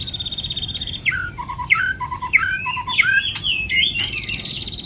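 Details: White-rumped shama singing to prompt other birds into song: a high trill, then a varied run of slurred whistles and short low double notes, rising and falling, with a steady low rumble behind.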